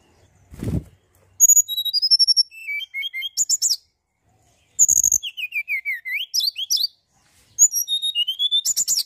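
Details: Energetic mountain tailorbird song used as a lure for other birds: long sequences of high, clear whistles dropping in pitch, with rapid chattering notes, after a brief low thump at the start.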